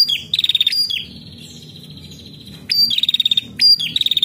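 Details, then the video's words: A female prinia sings as a lure call: high, rapid ticking trills with sharp upslurred notes, then a long thin steady whistle, before the fast trills return over a faint low hum. "PRENJAK BETINA GACOR!! Untuk pancingan bunyi prenjak bahan"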